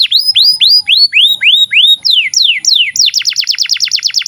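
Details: Canary song used as a master recording to train young canaries and to start silent ones singing: rapid series of descending whistled sweeps, shifting into a fast tight trill of repeated downward notes near the end.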